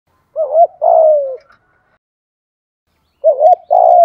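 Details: Spotted dove used as a decoy to prompt other doves to coo; two short cooing phrases, each a quick wavering double note followed by a longer falling coo, separated by silence.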